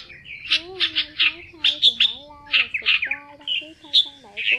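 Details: Red-whiskered bulbul flock-calling (male and female) gives bright, bubbly chattering notes in quick bursts about every half second, with a lower, slurred tone running beneath.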